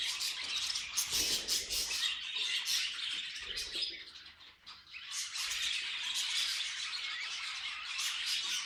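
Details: Budgerigars kept as pets chirping in quick bursts of sharp, high tweets and scratchy warbling, with a short quieter dip midway before the busy chatter resumes.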